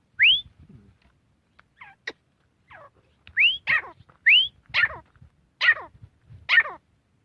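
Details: Grey francolin giving rising whistled notes mixed with harsher, downward-falling burry notes in an uneven series, with silent gaps between bursts.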